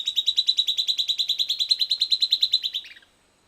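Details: Silvered Antbird song, recorded 18 January 2015 after playback as the bird came in to about two metres: a fast, even series of about twenty sharp, high chipping notes over three seconds, ending in a couple of lower, dropping notes.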